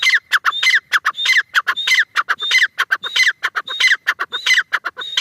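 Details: Rapid, harsh chattering phrases from a francolin (teetar), each broken into several clicks with a brief high whistle, repeated almost continuously at close to two per second.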